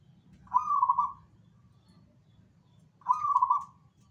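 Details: Energetic zebra dove song. Two rolling, warbled coos of even mid pitch arrive about two and a half seconds apart over a low, steady rumble.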